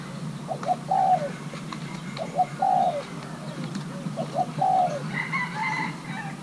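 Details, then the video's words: Thai-hybrid spotted dove, a young male being paired, sings its playing style: three evenly spaced phrases of two short notes and a longer falling coo; another bird's high chirping enters near the end. "nước chơi của gáy thái lai trống tơ đang ghép đôi"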